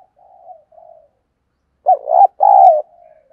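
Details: Vietnamese decoy spotted dove cooing to lure other doves: soft low coos early, then after a pause two loud throaty coos near 2 and 2.5 seconds, the second long and drawn out, trailing into quieter cooing.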